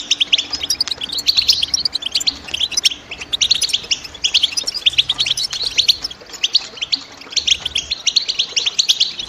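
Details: European goldfinch calling, a steady, busy stream of bright, high chirps and short twitters running through the whole stretch with barely a pause, the notes clustered high and sometimes overlapping.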